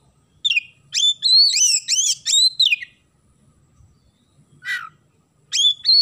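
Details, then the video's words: Oriental magpie-robin in lively isian gereja song, filled with sparrow phrases. A fast sequence of high, sliding whistles for about two seconds, a pause, a husky downward chirp, then a fresh rising whistle. "KACER GACOR ISIAN GEREJA"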